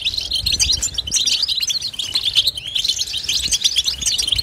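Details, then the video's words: Goldfinch batbata song as a dense, unbroken wall of high twittering and buzzy chatter. Several overlapping voices seem to blend together with no clear pauses. "بتبته حسون لا صمت"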